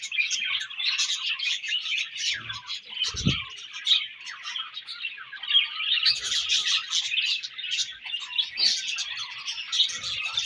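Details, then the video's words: Several budgerigars during breeding season keep up a steady stream of high chirps and scratchy warbles, with one brief low thud early on. "Budgies Breeding Season & Budgies Chirping Sounds"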